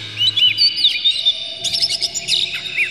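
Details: Oriental magpie-robin song meant to provoke other magpie-robins into singing: clear slurred whistles, then a dense burst of sharp high chirps and twittering notes, with a faint low hum beneath.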